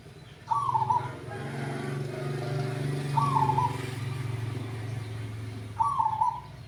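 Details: A fairly old zebra dove, chosen for its deep voice and heard at its keeper's home, gives three short, bubbly cooing phrases about every two and a half seconds over a steady low rumble of traffic or engine noise.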